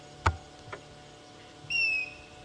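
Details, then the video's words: African grey hornbill in a quiet dry-winter reserve under clear blue sky, on an afternoon in June: a single high, clear whistled note sliding slightly downward, preceded by two soft clicks. "hear that? That's a very special bird called a grey hornbill."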